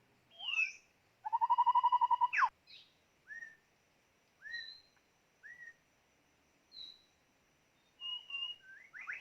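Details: White-rumped shama used as a decoy for trapping birds, singing varied clear whistles: an upward slur, then a rapid buzzy trill held for over a second, followed by short separate falling and rising whistled notes with pauses.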